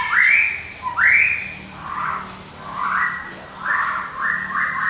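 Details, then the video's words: White-rumped shama of the Medan type singing nonstop in the ngekek style, used as a lure and training master: rising whistled sweeps repeated about once a second, then broader, warbling bursts in a steady rhythm. "MURAI MEDAN NGEKEK TIADA HENTI"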